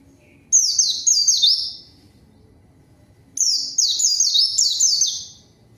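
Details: White-eye singing briskly as a lure to challenge a rival and set silent birds singing: a short run of high falling chirps, a silence of about one and a half seconds, then a longer rapid series.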